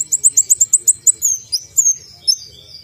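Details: Brown-throated sunbird (konin) singing actively in the full-isian, tembakan style, sharp-voiced: a quick run of about ten bright staccato chips, then thin high slurred whistles sliding downward, with faint low background hum.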